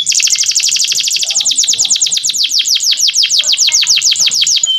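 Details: A male canary in full, continuous song serves as a training model for juvenile canaries: a long, rapid rolling tour of sharply falling high notes, roughly six per second, held for the whole stretch without pause.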